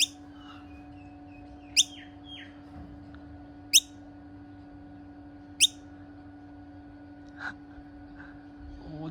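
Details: A female Noisy Miner fledgling, possibly fledged prematurely, in a backyard and perched on a person, gives three sharp, high, squeaky chirps about two seconds apart after some faint chatter, over a steady low hum.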